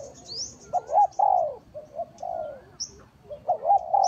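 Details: Spotted dove lure call used to attract wild doves for trapping: soft, hollow coo phrases of quick looping notes followed by a drawn-out descending croo, given twice, with faint high bird chirps.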